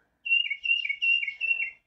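Tufted Titmouse singing a clear whistled peter-peter-peter-peter: four quick two-note phrases, each a high note slurring down to a lower one.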